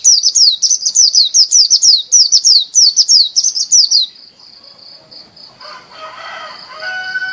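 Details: A champion Bali dakun white-eye sings actively. A rapid string of high, steeply descending notes runs for about four seconds, then stops and leaves a steady high hum with soft lower twitters.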